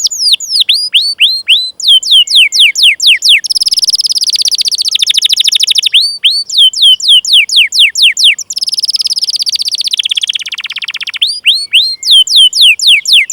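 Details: Canary song as a lure to get young canaries singing: series of clear downslurred chirps alternating with long, dense buzzy rolled trills, repeated in cycles.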